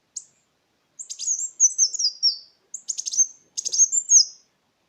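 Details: Sunbird song used as a lure to stimulate silent captive songbirds: very high, thin twittering phrases of rapid tinkling notes sliding downward, in three bursts separated by short pauses; no background sound.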